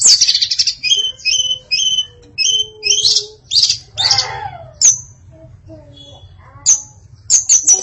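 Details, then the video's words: Female hill blue flycatcher in varied song, a series of short paired high notes repeated about every half second, then a burst of harsher notes and a few isolated sharp whistles after a pause. "Kicau Memukau Tledekan Betina Yang Bersuara Variatif"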